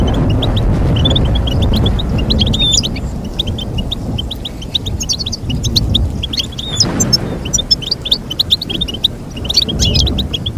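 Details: Goldfinch song of rapid twittering chirps and trills over strong low rumbling background noise, with a sharp whooshing sound partway through.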